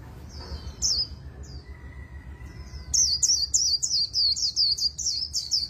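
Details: Oriental white-eye with a magpie-robin-style voice in fast líu song: a few high separate chirps and a faint steady tone, then a rapid regular series of about ten loud, bright, downward-sliding notes.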